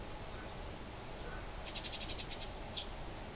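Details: Eurasian tree sparrows fighting in the wild around Bolesławiec, Lower Silesia, Poland: a rapid harsh rattle of repeated ticking notes for over half a second, then a single sharp descending chirp, against low background noise.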